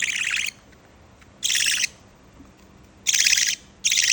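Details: A male budgerigar chick being hand-reared gives harsh, raspy begging bursts during feeding, each about half a second and repeated in quick succession; he quiets only when fed faster.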